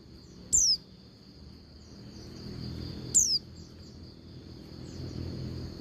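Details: Calling female Oriental white-eye meant to make males sing: two sharp, high, falling whistles about two and a half seconds apart, with faint softer chirps and a steady high hum behind.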